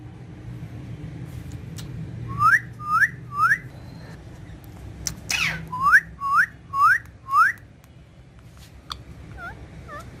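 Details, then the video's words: Green ringneck parrot with a mirror whistles two runs of clear rising upslurs, three then five notes about half a second apart, separated by a sweeping burst, softer chirps at the end. "Green Ringneck Parrot In Urdu Hindi Talking With Mirror"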